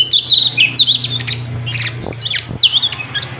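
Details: Sooty-headed bulbul singing hard for songbird tutoring: unbroken stream of quick whistles, slurred descending notes and thin high squeaks, with a few dull knocks and a low background hum.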